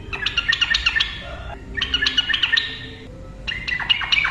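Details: Yellow-vented bulbul (trucukan) singing in the rapid ropel style, played to lure silent birds into song: three bursts of bubbly, chattering notes, each about a second long, separated by short pauses.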